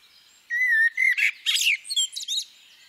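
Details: Female common blackbird. Steady, low, flute-like whistles are followed straight away by a jumble of high, scratchy, squeaky notes, all within about two seconds.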